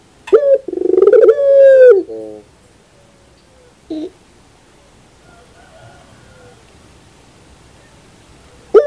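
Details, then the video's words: Puter pelung dove in the morning giving one long coo, with a stuttered start, a steady drawn-out tone and a brief low tail, then a short note and mostly quiet background. "the beauty of the sound of puter pelung in the morning"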